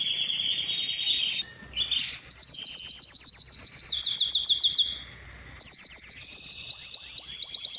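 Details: Spanish timbrado canary singing a training song: a metallic opening note, short silence, then long fast pulsed trill with rolling repeats, a pause, and a renewed bright trill rising in pitch.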